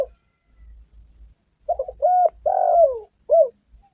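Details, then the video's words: Spotted dove call used as a hunting and trapping lure: one phrase of cooing notes, stuttered opening, level coo, long drawn-out falling coo and a short closing coo, after faint low thumps. "PANGGILAN SUARA BURUNG TEKUKUR||DERKUKU GACOR"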